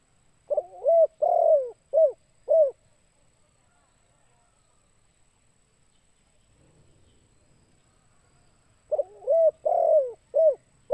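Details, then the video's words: A spotted dove gives two phrases of four soft, hollow coos, each phrase about two seconds long, with a quiet pause between them. "Suara TEKUKUR KUK 2"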